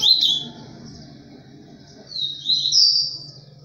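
Ultramarine grosbeak singing two short, high, sweet warbled phrases about two seconds apart, with a low indoor hum underneath.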